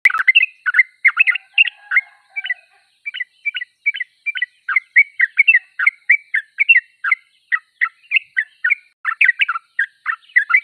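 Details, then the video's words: A Sooty-headed bulbul in full song, delivering a steady string of short liquid chirps that rise and fall, with a brief pause and a faint lower tone near the start. "Trucuk termewah suaranya paling di cari"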